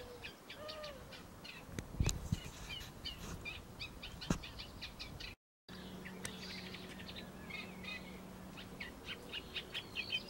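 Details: Eurasian reed warbler singing in a laurel bush on 21 May 2018: a steady, chattering run of short, scratchy notes, each repeated two or three times, with a low hum and a few clicks underneath.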